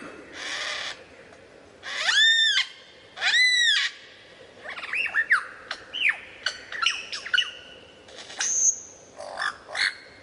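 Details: Lyrebird mimicry: a couple of loud, harsh, arched harmonic squawks a second apart, then a jumble of short chirps, clicks and whistled slurs with one thin high note.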